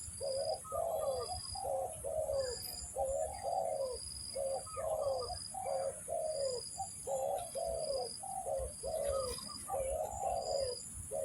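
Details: Spotted dove calling to lure birds for trapping, with a steady series of low, grainy coos grouped in short-long pairs, the long notes falling, repeated many times with a constant shrill hum behind.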